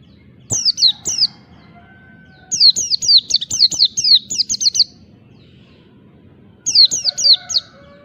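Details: Oriental white-eye giving wild-type 'ngalas' song meant to provoke rivals: three bursts of rapid, sharply descending high slurred whistles, each burst a quick chattering run of notes, separated by short pauses, over faint low rumble and clicks.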